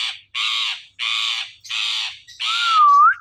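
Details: Talking ring-necked parakeet making sounds: four harsh, loud squawks about every 0.6 seconds, the last merging into a clear wavering whistle that rises at its end; indoors, no other sounds.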